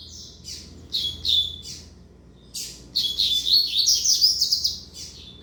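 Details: Double-collared seedeater, a young male offspring of a tournament bird, giving short separate chirped notes and then a fast, loud warbling burst of high trills and slurred whistles.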